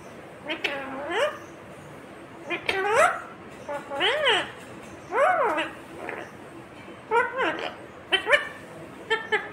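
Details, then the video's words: Cute talking parrot that says "mummy papa": a run of loud, speech-like harmonic calls that arch up and down, in bursts about every one to two seconds, with a quiet indoor background. "Mummy Papa Bolne Wala cute Parrot"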